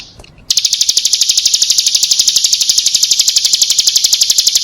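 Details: Used as a lure, a female bar-winged prinia gives a continuous rapid series of sharp high notes, beginning after a brief soft sound at the start.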